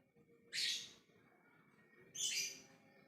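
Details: Lovebird ngekek calling out to others, two loud raspy shrieks spaced about one and a half seconds apart, bright and noisy, with a faint background hum between them.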